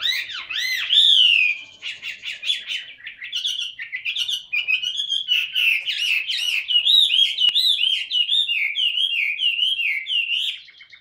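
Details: Tame captive Chinese hwamei in voice-training song: a long, varied stream of loud whistled notes, swooping arches at the start, then rapid rising and falling warbles repeated in quick series without pause.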